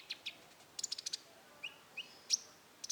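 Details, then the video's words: Rufous-tailed shama, roll tembak song style. Two sharp notes lead into a rapid chattering burst, then two soft low whistles, a loud piercing high note, and another quick chatter at the end. "suara burung konin roll tembak"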